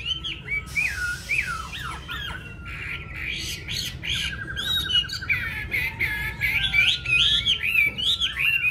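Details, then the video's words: Golden-billed Chinese hwamei in a cage at a Vietnamese home, pouring out a dense, varied song of swooping whistles, harsh notes and a brief buzzy trill, delivered rapidly. "Họa mi MỎ VÀNG"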